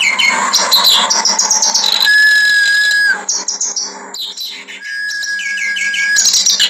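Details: Clamorous reed warbler (kerak basi) in vigorous harsh song: noisy grating chatter, a held flat whistle, a brief quieter gap, then rising repeated notes and more buzzy chatter over a faint steady hum.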